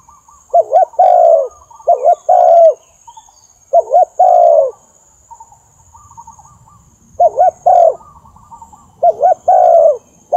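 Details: Lure call of a spotted dove for trapping: low, mellow coos in paired short-then-long phrases, repeated with pauses of a second or more, a soft higher chatter between phrases and faint rustling in the background.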